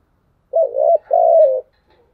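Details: Spotted dove cooing in the chiêu and thúc styles: two loud, mellow, low coos, the first wavering and the second a longer, slightly falling note, against an otherwise silent background.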